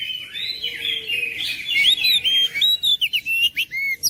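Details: Kacer (oriental magpie-robin) song meant to prompt a silent bird, heard indoors: soft jumbled warbling builds into bright whistled slurs and a quick string of sharp repeated chirps.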